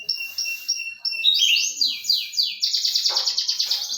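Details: Canary song: a few clear sustained whistled notes, then a series of sweeping downward-slurred phrases, ending in a rapid rolling trill with some faint background noise.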